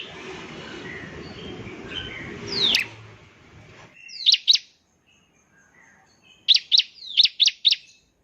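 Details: Bar-winged prinia in active song, used as a lure to get other prinias singing quickly: a low rumbling noise for the first three seconds, then sharp, high chirps, first a pair and then a quick run of about six.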